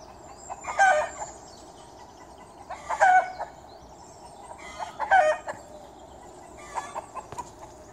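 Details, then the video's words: Garden chickens giving loud, harmonic clucking calls in bursts about every two seconds, each a short cluster of notes, with quieter calls between and faint high bird sounds in the background. "Hühner im Garten"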